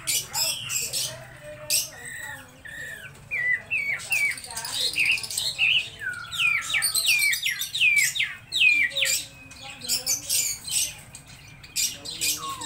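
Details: Laughingthrush song: a long run of varied whistled notes, many rising or falling slurs, mixed with harsh chatter, at roughly one phrase a second, with a faint low hum beneath.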